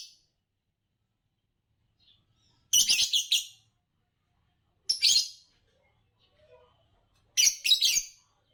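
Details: Green Fischer's lovebird, a type said to win Indonesian bird song competitions, gives three harsh, high chirping bursts roughly two seconds apart. Each lasts under a second and is a rapid stutter of notes, with quiet between.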